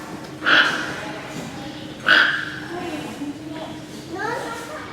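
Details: Captive toco toucan at Maruyama Zoo's tropical bird house in Sapporo, Hokkaido, Japan, recorded 17 March 2013; two abrupt rasping croaks roughly one and a half seconds apart, followed by quieter indistinct sounds.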